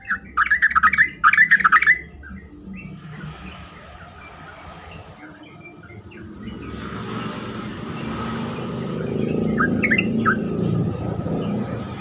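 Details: Yellow-vented bulbul singing, recorded as a lure to prompt other bulbuls to reply: two quick bubbly phrases of rapid warbled notes at the start, then a long stretch of passing vehicle rumble with a few faint chirps.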